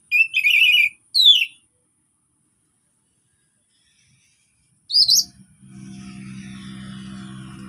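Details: Orange-headed thrush in calm song, played to prompt non-singing thrushes: short bursts of bright warbling and a slurred whistle, followed by a steady low mechanical hum.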